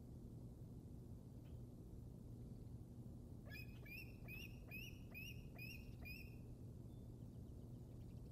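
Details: Juvenile bald eagle at the Decorah North Nest in Iowa, 7 February 2021. About seven sharp, high chirps, each sliding down with a ringing overtone, come in a quick run under steady low hum.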